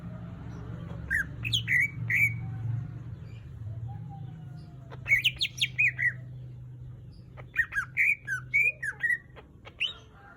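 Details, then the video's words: Greater green leafbird singing in two separated bursts of bright slurred whistles and chirps, rising and falling notes strung quickly together, with quiet low background hum between phrases. "Cucak ijo gacor buat pancingan"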